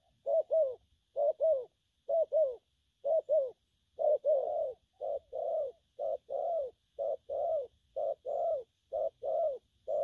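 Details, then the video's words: Wild-caught spotted dove giving gù phóng and gù lăn cooing: steady two-note coos, short then longer and slurred, about once a second and speeding slightly toward the end, with a faint high hum behind. "Bổi nước gù phóng, kèm, gù lăn săn"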